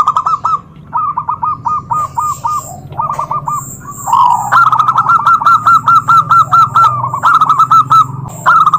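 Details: Zebra dove calling to provoke rival doves into replying. Quick stuttering coo phrases of about five notes repeat every second or so, growing louder midway into steady rolling bursts, with fainter answering coos behind.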